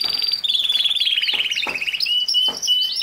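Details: Canary song played to a young male canary kept apart from its parents in its own cage, so he copies it and starts singing: fast rolling trills and rapid repeated whistled notes, steady and continuous.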